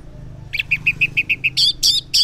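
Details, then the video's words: Orange-headed thrush morning song, used as a lure to make silent males respond: a run of seven short evenly spaced whistled notes, followed by three louder, harsher buzzy phrases. "Cocok Buat Pancingan ANIS MERAH Ngeplong di Waktu Pagi Hari Yang Macet yang Bisu Kalo Jantan Nyaut.."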